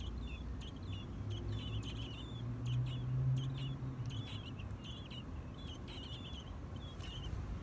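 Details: Nestling American robins close to fledging, giving bill clicks: rapid dry clicks and squeaky high chirps in uneven runs, over a low rumbling hum that swells briefly midway.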